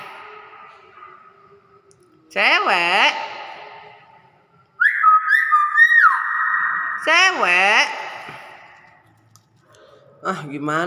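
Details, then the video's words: Hill myna mimicking sounds: loud harsh upward-sweeping calls come in bursts, separated by a steady flat whistle of about a second and quieter gaps. "beo bisa ngomong assalamualaikum"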